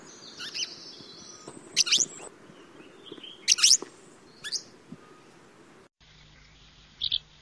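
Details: Swallow from Russia giving sharp, high chirps and short twitters in scattered bursts, some rising steeply, over a low background hum, with a brief cut near the end before one last chirp.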